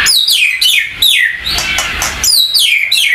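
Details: An unringed captive White-rumped shama, provoked with cat-fight sounds to raise its aggression, gives harsh, high, downward-sweeping calls, about two each second, with a rough noisy burst midway.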